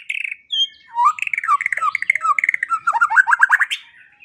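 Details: White-rumped shama song for training songbirds, morning and evening: a mellow whistle, then a fast run of rhythmic chattering notes, rising at the end into bright whistled chirps.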